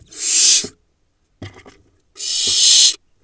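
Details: Barn owl nestlings in a monitored nest box in the Hula Valley, Israel, on 11 July 2021, pouncing on each other; two long, harsh, breathy hissing screeches with soft scuffling and thumps between them.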